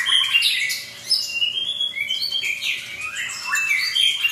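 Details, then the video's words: Captive white-rumped shama, a long-tailed bird given special care, singing a varied and continuous song of clear whistles, rising and falling slurs, and buzzy trills, delivered without pause; no other sounds. "MURAI BATU EKOR Terpanjang l suara Mantap Dan MERDU"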